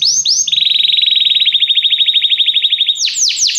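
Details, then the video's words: Canary song used in canary training; two swooping notes lead into a long steady trill of rapid even pulses, ending with a few loud descending sweeps. "Este canto canário inspira o apetite do seu canário para cantar imediatamente"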